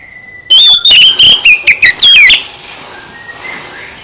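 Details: Song of an oriental magpie-robin used to draw a reply from another magpie-robin: two seconds of loud, clear whistles, notes sliding downward and broken by short gaps, then quiet background.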